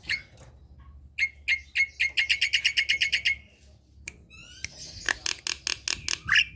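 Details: Javan myna (jalak kebo) singing vigorously at home in the morning: a quick string of about ten harsh, buzzy notes, a short gap with rising whistled slurs, then another burst of rough chattering notes.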